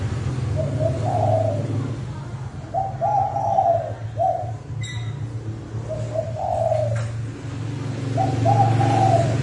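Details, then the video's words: Decoy spotted dove giving a very fast lure call meant to stir up wild doves: repeated phrases of short then drawn-out hoarse coos, about five phrases, with a constant low hum and a brief click. "Tiếng Chim Cu gáy mồi thúc bổi tốc độ cực mạnh"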